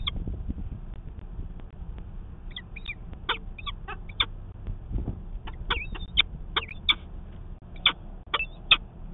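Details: Peregrine falcon at the Manchester, New Hampshire nest, 19 February 2020, calling during a nest 'conference', picked up by a nest camera. Clusters of harsh, chopped, slightly slurred calls grow denser toward the end, over a steady hum.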